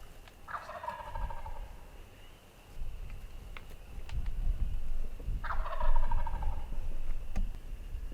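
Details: Wild turkey gobblers in Tennessee on the opening day of turkey season, gobbling before daylight: two loud, rattling, downward-sliding gobbles about five seconds apart, with faint small-bird chirps and soft rustling in the background.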